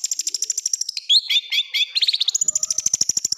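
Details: Long-tailed shrike giving a rough 'tembakan' fill song for training caged birds: fast high ticking, a few louder squeaky slurred notes, then another quick, even run of sharp ticks.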